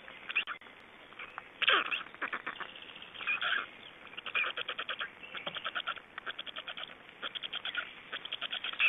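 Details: Black storks at a nest in Estonia during feeding, 26 May 2012: rapid trains of harsh, buzzy pulses in quick stuttering bursts, some runs steady and evenly spaced, with scattered louder rasping notes between them.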